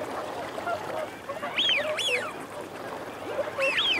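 Eurasian wigeon males give loud whistled, rising-then-falling 'whee-oo' calls in pairs, with lower growling notes from females mixed in beneath.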